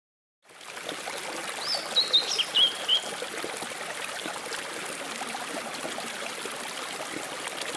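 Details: Blue-and-white flycatcher singing beside a small stream at the Rock Garden on Mount Mitake, Ome, Tokyo, Japan, on 14 May 2011: a short phrase of quick high whistled and chipping notes, rising and falling, over a steady rushing of water.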